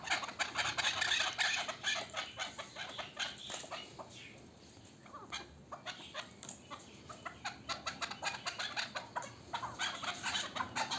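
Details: Chukar partridge of local stock, a young bird from the previous year, giving rapid clucking chuk notes that pause briefly around four seconds, then resume as a steady, quickening rattle.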